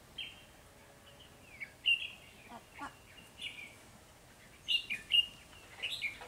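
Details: Red-whiskered bulbul decoy singing during early-season trapping of wild birds, 3 November 2020: scattered short whistled notes and slurred phrases, with louder bursts near the end and faint clicks in between.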